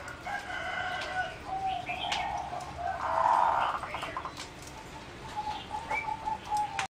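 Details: Competition singing zebra dove from a selectively bred line, in a flight cage on 30 April 2014; tonal cooing phrases swell into a louder burst midway, then drawn-out steady notes close it, over constant background noise.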